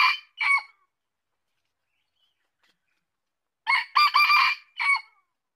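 A red junglefowl gives a brief two-note call, then after a pause a hoarse, clipped crow of several quick syllables that ends abruptly.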